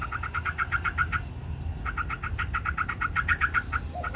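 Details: White Chinese hwamei competing in song, wings spread: two rapid bursts of evenly repeated ringing notes separated by a brief pause, over a low background rumble.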